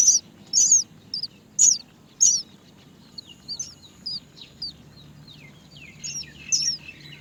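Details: Hungry Great myna chicks waiting for their mother to feed them give loud, high squeals spaced irregularly over the first seconds, followed by fainter, softer squeaks trailing on.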